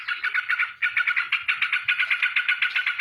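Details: Rapid 'ropel' song of a straw-headed bulbul flapping its wings: a steady, fast pulsing chatter of bubbly notes, about four per second, with one short dip in loudness near the start.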